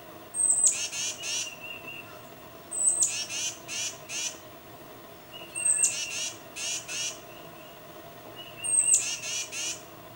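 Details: Calling its mate, a tufted titmouse repeats four bouts about every two seconds. Each bout is a sharp thin high note and then several rough, buzzy descending notes. Background is calm. Captured on a Nikon D800 with 600mm lens.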